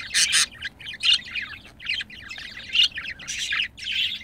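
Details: Pet budgerigars caught while mating: busy chattering warble of rapid chirps and scratchy notes, bursts recurring about every second, with louder harsh chirps at the start.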